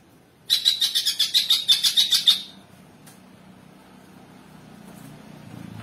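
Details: Greater green leafbird singing actively: a high, rapid trill of about a dozen sharp repeated notes over two seconds, followed by low rumbling background noise.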